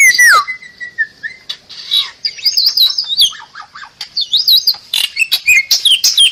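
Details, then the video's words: Bali myna, a protected and increasingly rare bird of Bali, on a tutor recording: loud clear whistles sweeping down and wavering, mixed with harsh buzzy chatter and bright chirps. "MERDU KICAU JALAK BALI"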